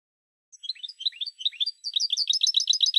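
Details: Goldfinch song from a Spanish silvestrismo recording. Spaced, tinkling chirps speed into a dense, rapid twitter of sharp, high notes that runs on without pause. The background is clean.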